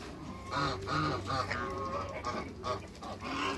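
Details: Six African and Toulouse geese at a first meeting give a rapid series of nasal, harmonic honks, several per second, with low cooing sounds and steady background hum underneath.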